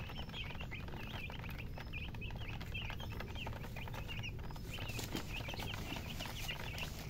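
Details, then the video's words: Chicks of the domestic chicken give bursts of short, squeaky, up-and-down peeps in clusters. A brief sharp click-like noise is heard near the middle, over a steady low hum. "MURGI Baby "Chicks Chirping" Sound"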